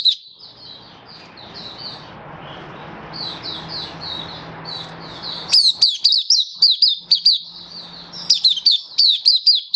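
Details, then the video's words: Oriental white-eye song display from February 2023: for the first half, soft high warbling sits under a broad hissing noise with a low hum, then loud, sharp downslurred chirps burst out in quick series. "Mata Puteh Happy Buka Sing"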